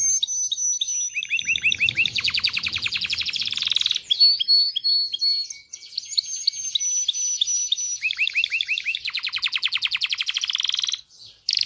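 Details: Excited canary singing to stimulate males and females to mate: a long, varied song of looping notes and rapid rattling trills, with one phrase repeated.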